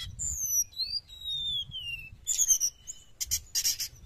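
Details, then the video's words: Sooty-headed bulbul, used to attract wild birds, sings long thin descending whistles, then a burst of harsh, buzzy chatter toward the end. "srdc gacor penarik burung bahan"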